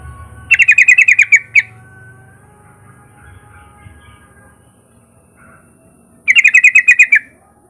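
A yellow-vented bulbul gives two quick bursts of about eight bright, bubbling notes, spaced some five seconds apart, over a faint low hum.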